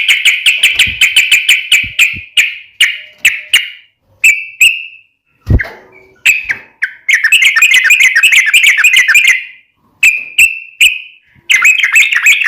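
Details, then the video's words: Lively gacor song of a yellow-vented bulbul, recorded as daily training material for cage birds: rapid bubbly chatter, scattered single notes, one low knock, then long fast trilling runs. "KICAU SUARA trucukan gacor KHUSUS BUAT MASTERAN HARIAN menjadikan burung trucuk gacor NYAUT SEKETIKA"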